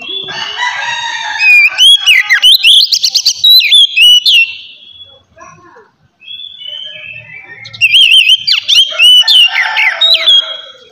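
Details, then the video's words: Oriental magpie-robin song used to prompt other magpie-robins to sing: loud varied whistles, sharp rising and falling slurs and rapid trills in two long phrases, with softer notes in the gap. "kacer ngeplong santai ampuh merangsang kacer bahan agar cepat bunyi"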